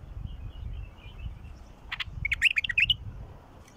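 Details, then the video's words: Bulbul song used to prompt a silent bulbul into singing: a brief run of rapid, looping whistled notes in the second half, over a low rumbling background. "تغريد بلبل مخلف يفتح البلبل الساكت مجرب"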